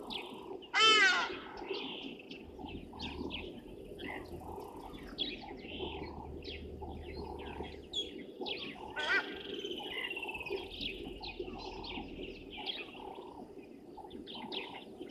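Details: Grey go-away-birds at Gowrie dam waterhole, Djuma Game Reserve, Sabi Sand, South Africa, 28 January 2023 at 06:24; a loud harsh nasal call near the start and another midway over a dense chorus of chirping birds.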